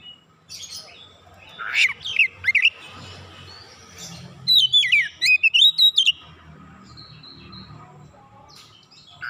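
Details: Kacer, the oriental magpie-robin, singing nonstop and unloading its learned repertoire: a few sharp chirps, then a fast run of loud, looping, warbled whistles jumping up and down in pitch, followed by quiet.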